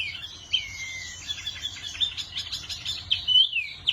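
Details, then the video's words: Wambi bird delivering a long, continuous warble of high, rapid, twittering notes, broken by a drawn-out descending whistle early on and sharp accented chirps. "Burung Wambi Mini Gacor Kicau Terbaik"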